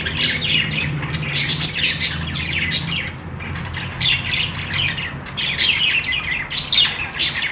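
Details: Budgies chirp and squawk in lively bursts, short high notes piling up, a quieter pause near the middle, then renewed busy chatter.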